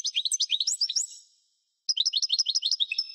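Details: European goldfinch of the parva form singing: quick liquid twittering of high chirped notes bouncing up and down, a brief silent break, then another rapid tinkling run of similar notes.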